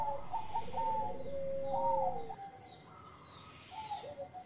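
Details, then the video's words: Zebra dove of the Bangkok type giving engkel song to stimulate breeding mood, quieter and more distant: soft rolling coos and a drawn-out falling note over a hissy, rumbling background. "Pancingan menaikan birahi Perkutut Bangkok Gacor Suara Engkel"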